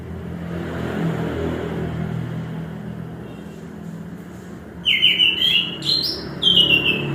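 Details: Chestnut-capped thrush, known locally as anis kembang, singing: after about five seconds of steady low traffic rumble, loud clear whistled phrases with rapid warbling notes and a sliding upper phrase near the end.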